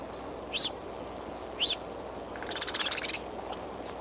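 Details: Bald eagles, a pair at the Decorah nest on the Y branch in the morning, with a fly-by; two short high chirping notes a second apart, then a rapid chittering run of high notes.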